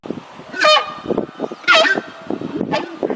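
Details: A Horned screamer gives loud, piercing, honking trumpet-like calls with a strong harmonic ring, three bursts about a second apart, over low background rumble and chatter.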